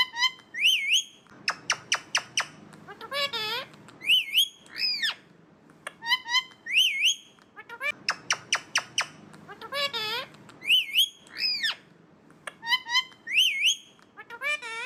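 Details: Alexandrine parakeet (Psittacula eupatria): loud, harsh squawks and rising whistled notes in repeated bursts.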